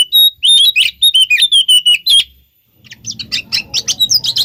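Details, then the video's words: Oriental magpie-robin lure song: steady run of sweet, slurred whistles and chips, a brief break, then a second singing bout over a low rumbling background. "Pancingan Suara Kacer Pasti Kacer Anda Nyahut Bikin Konslet"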